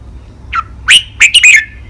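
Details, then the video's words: Red-whiskered bulbul kept in a cage sings a five-syllable song of the แม่บท ลากหวาย type for training birds: one soft downslurred note, then a run of loud, rich warbled whistles ending in a drawn-out tail. "นกกรงหัวจุก เจ้ากวนอู เสียงร้อง 5 พยางค์ แม่บท ลากหวาย คมชัด ไว้ฝึกนก (เสียงฝึกร้อง)"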